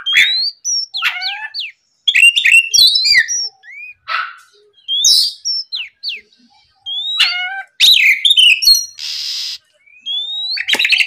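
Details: Varied whistling song of an Oriental magpie-robin in the morning, played to rouse rivals: quick upward slurs, stacked chirps and short trills, with one long scratchy rasp near the end.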